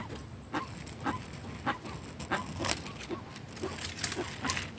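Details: Guan calling in the sertão backcountry: short, nasal honking notes repeated roughly every half second, irregularly spaced, over a steady rural background hiss.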